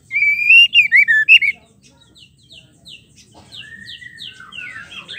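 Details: White-rumped shama female call meant to stir males into full song: a bright whistled phrase with rapid looping pulses over the first second and a half, followed by a quieter run of short descending chips and a rising whistled slur.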